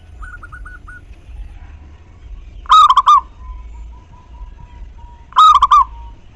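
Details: Local zebra dove singing, meant to trigger song in other perkutut: a soft series of short notes, then two strong rippling four-note coo phrases about 2.7 seconds apart.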